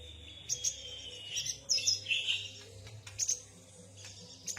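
A yuhina gives quick, high twittering chirps and short whistled notes in irregular bursts, about two or three per second, over a low steady hum.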